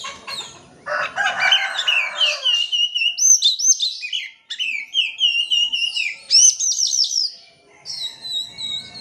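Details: Lure song of an oriental magpie-robin for birds that will not sing: harsh, grating notes early on, then a long, rapid flow of varied whistles, quick trills and looping high phrases.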